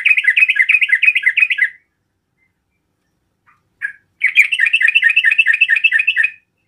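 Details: Sooty-headed bulbul singing to provoke rivals: two rapid bursts of rhythmic, bubbling chatter, roughly eight notes per second, with a short pause and a few soft notes between them.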